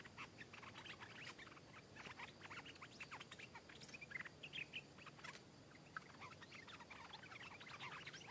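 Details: Fierce counter-singing by a wild stripe-throated bulbul in Thailand that came down to strike another bird. A dense, chattering stream of quick chirps and short warbled notes, nearly continuous, with brief pauses, against faint background hiss.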